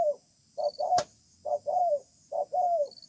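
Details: Low double coos from a wild-caught spotted dove contesting beneath a communal house, each pair a short note followed by a longer downward-sliding coo, spaced evenly, with one sharp click and faint insect chirps.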